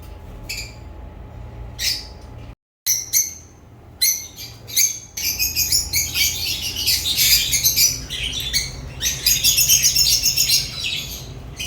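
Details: African lovebirds chirping, sung as described for relaxation: scattered sharp high chirps at first, then a dense run of rapid overlapping chirps and chatter, a faint steady hum beneath.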